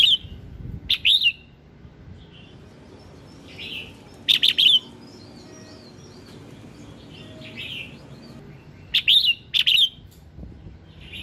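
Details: Red-whiskered bulbul morning song used to prompt other birds to sing: short bright whistled phrases in bursts of two or three notes, separated by pauses of several seconds, with softer chirps between over a low background rumble.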